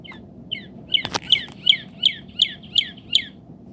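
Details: Northern cardinal song: a steady series of clear, high, downward-slurred notes, about three per second, over a faint low hum.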